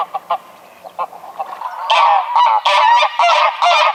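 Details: Greylag goose honking: a few soft short notes at first, then loud harsh nasal honks in rapid succession, tightly bunched with brief gaps between them.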